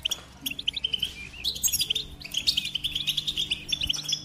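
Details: Goldfinch singing a rapid run of high twittering, tinkling notes between about 2 and 8k, bursts of chirps with brief pauses, faint low hum underneath.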